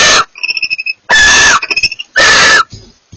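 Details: Barn owls, a pair, trading calls: two long harsh screeches separated by quick, thin, twittering chatter and soft clicking notes.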